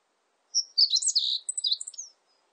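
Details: A single short meadow bunting song phrase from 2020, about one and a half seconds of rapid, high, tinkling chirps and buzzy slurs, ending in a few clipped notes; clean, quiet surroundings.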